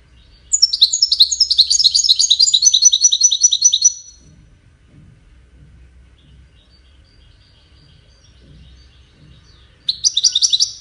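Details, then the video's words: Melodious goldfinch song of cascading musical notes, part of its courtship and communication: a dense, high, tinkling twitter lasting about three and a half seconds, a quiet pause, then another burst of rapid chirps. "Witness the Majestic Goldfinch Singing"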